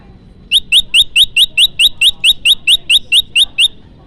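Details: Trapping lure of an olive-backed tailorbird: a long, steady run of about fifteen high, upslurred chip notes, evenly spaced at roughly two and a half per second, loud and clean against faint low background noise.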